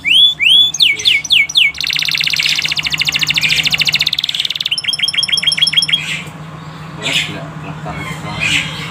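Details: Canary song played to stimulate canaries to sing: a few loud upslurred notes, then a long dense buzzy trill, a fast ringing run of repeated notes, and softer scattered chirps over a low hum.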